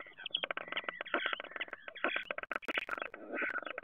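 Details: Common starling at its nest box in Théding, France, 10 March 2023, delivering a continuous, dense rattling song of rapid clicks with harsh, buzzy whistled overtones, hardly a pause throughout.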